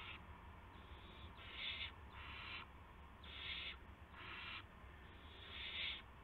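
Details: Owls at a nest on March 18, 2016 at 8:00 PM, a gopher just delivered; repeated rough, breathy hisses, each roughly half a second, rising and falling in loudness, about seven in quick succession.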